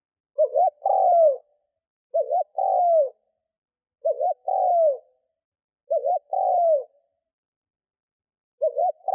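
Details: Decoy spotted dove cooing to attract wild birds, giving five evenly spaced phrases about every two seconds. Each is a short stuttered double note, then a drawn-out coo that slides downward. Clean background.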